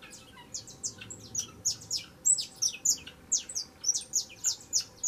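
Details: Young saffron finch singing a lot: a rapid run of bright, high chirps and short downslurred notes, closely spaced at about two per second, with steady faint background hiss.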